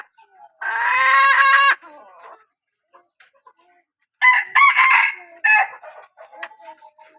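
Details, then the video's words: Hen from a strong-calling line giving a long, loud, harsh drawn-out call, then a quiet gap with faint clucks, then a second burst of rough calls. "ตัวเมียสายร้องเกั่ง, poj qaib seev tsauj zoo heev"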